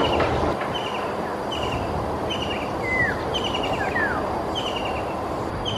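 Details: A white-throated kingfisher, perched alone on a branch as the sky darkened, calls loudly: short, rapid, high chattering trills about every second, a few falling whistled notes, over a steady rumble of distant traffic.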